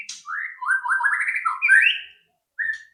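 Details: White-rumped shama singing as a lure for other shamas: a flowing run of mellow, warbling whistled notes rising gradually in pitch, a pause, then a single clear whistle.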